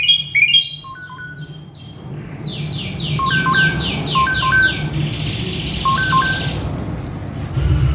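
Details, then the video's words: {'caption': 'Agitated male Asian pied starling in mimicry song. Quick high chirps lead into a steady train of buzzy repeated notes, with paired clear whistles recurring underneath, over a constant low rumble.'} "Si Jalu Emosi | Suren Ngamuk | Full Isian"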